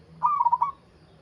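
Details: Brief burst of zebra dove song, a local wild bird: a quick string of four or five soft, rolling coo notes lasting about half a second over a faint low hum.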